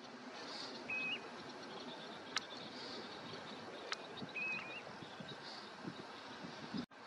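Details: Curlew sandpiper (Calidris ferruginea) gives two brief, thin, high chirruping calls about three seconds apart, each stepping slightly upward, over steady wind-like hiss and a couple of sharp clicks.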